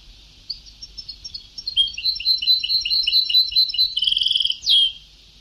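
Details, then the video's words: European goldfinch in an old Sebtaoui-style song recording: a phrase that starts with scattered chirps, builds into fast, dense, liquid twittering, adds a rapid trill, then finishes with a sharp falling note. "Canto del jilguero antiguo شريط تغريد سبتاوي قدييييييم"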